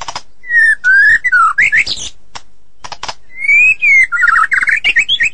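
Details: White-rumped shama song: loud clear whistled phrases gliding around mid pitch, rising to higher notes, broken by sharp clicking bursts and short pauses.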